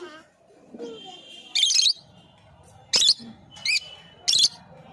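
A lovebird gives four shrill, harsh chirps at uneven intervals over five seconds, with faint murmuring indoor noise behind.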